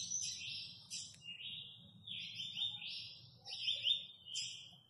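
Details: A captive Double-collared seedeater from Guarujá, noted as a very fast singer, pours out rapid, buzzy, high-pitched trilled phrases with sharp slurred notes, nearly nonstop, over a faint low hum.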